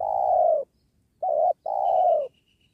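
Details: Spotted dove coo from a session trapping wild doves beside a sacred tree: a long falling coo, a brief notched note, then another long descending coo, with a faint thin high trill behind.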